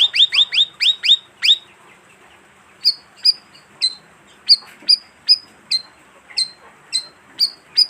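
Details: Bayeman lure call for wild birds, from a species said to flock in groups of 15 to 20; quick burst of downward-slurred chirps, then a looser series of high, clipped tweets.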